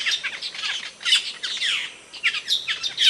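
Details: Asian glossy starling from Indonesia giving sharp, rasping squawks mixed with quick sweeping whistled notes, delivered in irregular bursts with a short lull near the middle.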